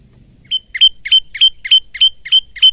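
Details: Male bar-winged prinia giving a quick series of paired notes: a short buzzy chip followed by a piercing high whistle, repeated about every third of a second. Recorded on a phone.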